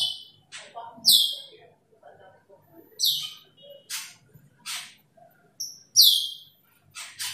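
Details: Asian glossy starling calling toward a rival, producing clipped, shrill, downward-sweeping notes every one to two seconds, mixed with short high ticks.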